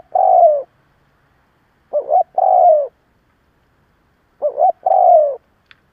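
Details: Lure spotted dove cooing to provoke other doves; three clean phrases, each a quick wavering double note followed by a drawn-out descending coo, spaced a couple of seconds apart, no other sounds.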